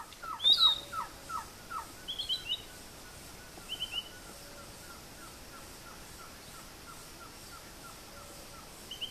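Green-backed trogon: a quick series of short, soft, mid-pitched cow notes, about four per second, fading away. Higher chirps from other birds break in.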